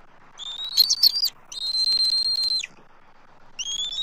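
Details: Adult eagles on their nest tree in Southwest Florida, 12 March 2024, react vocally to a circling immature intruder. A chittering whistle, then a steady level whistle about a second long ending in a downward slur, and another begins.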